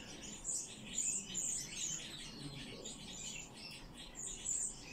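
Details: Common chaffinch among rescued birds in care, producing rapid strings of sharp, very high chirps, several per second, steady in loudness throughout against a quiet hum.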